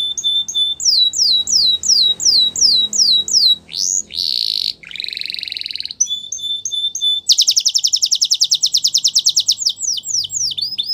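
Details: Spanish Timbrado canary delivers a chain of swooping whistled notes, then two harsh buzzy bursts, a stretch of clipped chirps, and a long loud metallic rolling trill before more slurred whistles.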